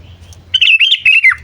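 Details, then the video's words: Sooty-headed bulbul calling to attract wild birds, a lively, gurgling phrase of many quick warbled notes that wavers up and down and ends in a falling slur, with slight low hum before and after. "Suara Burung Kutilang Memanggil"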